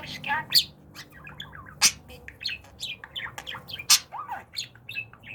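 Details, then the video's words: Talking budgerigar practising during training, giving a warbling mix of sliding whistles, clicks and buzzy syllables, with loud sharp ticks at roughly two-second intervals. "Konuşan Muhabbet Kuşu Eğitim Alıştırma"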